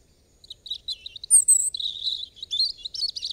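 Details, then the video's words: European robin song beginning after a brief silence, with high squeaky notes and then a piercing thin whistle, leading into a run of tumbling, liquid warbles and twittering trills that rise and fall in pitch. "Robin Bird Song"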